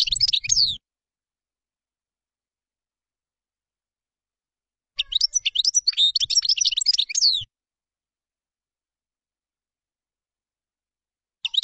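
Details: Common chaffinch singing in separated phrases, each a quick run of sharp high chirps and trills lasting about two seconds, with long quiet gaps between.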